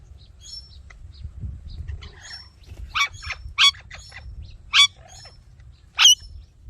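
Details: Ringneck parrot giving harsh, broadband chirps spaced about a second apart in the second half, with fainter thin whistled notes before them over a low background rumble.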